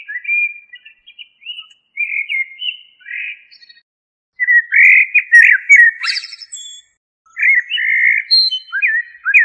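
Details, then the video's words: A common blackbird's song: repeated mellow fluted phrases with short pauses, several ending in high, squeaky twittering flourishes, in a quiet setting. "تغريد طائر الشحرور جحمومية الزرياب Turdus merula"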